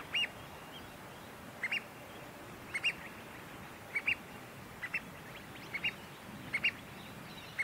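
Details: Pied oystercatchers nesting at Port Hacking, New South Wales, on day five with a chick; sharp, high piping notes come in doubled pairs roughly every second, steady and insistent, over faint background hiss.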